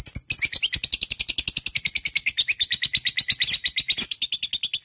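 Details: Long 'ngekek' chatter of a lovebird used as a lure call: an unbroken, very fast, high-pitched buzzy trill of rapid notes lasting the whole five seconds without a pause.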